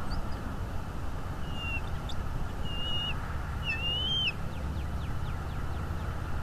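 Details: High whistled calls of a bald eagle at its nest in North East Florida, captured by a camera on the morning of 22 February 2022. Three drawn, slightly slurred notes grow louder in turn over a steady low-pitched hum.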